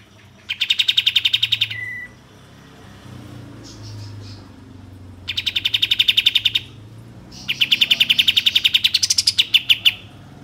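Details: Lure recording of a captive songbird to make birds sing and open their tails: three bursts of rapid high buzzy chattering, each one to two seconds, with quiet gaps and faint background hum between.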